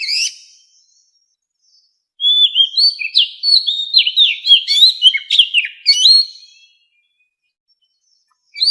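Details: Captive-bird voice training recording of a white-rumped shama in standard wild voice: after a brief note and silence, a four-second cascade of clear slurred whistles mixed with crisp clicks and sharp chips, then silence.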